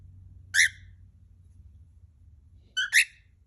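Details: A cockatiel, reacting to its owner's coughing as if to give attention, gives two short, harsh, harmonic-rich chirps about two seconds apart, the second a quick double note, in a quiet room with a low hum.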